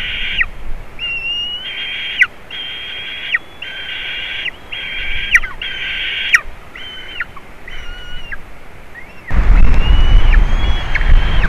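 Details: Juvenile white-tailed eagle visiting eaglets at a nest in Latvia, 27 June 2019, picked up by a nest live-stream camera: a run of flat, slightly rising squealing calls about once a second, then a burst of loud wind rumble at the end.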